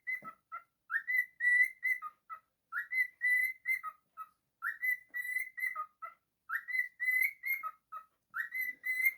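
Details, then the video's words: Domestic cockatiel performing its whistled song: rising opening notes, then steady high whistles and a falling close, the same phrase returning roughly every two seconds. "Cockatiel singing. bird singing. happy bird."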